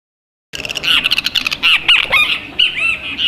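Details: Red-breasted toucan recorded on 25–26 June 2014: after a brief silence, a loud, dense burst of harsh, squeaky notes with arched, nasal overtones, running almost continuously and overlapping.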